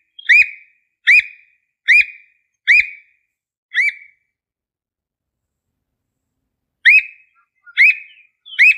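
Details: Squirrel cuckoo in the Brazilian sertão giving sharp, clear whistled notes, repeated steadily about once a second.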